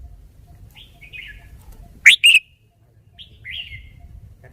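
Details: Red-whiskered bulbul showing its song phrasing: soft warbled notes, then a loud burst of two bright, chirpy whistles in the middle, followed by quieter slurred phrases, over a faint low background hum.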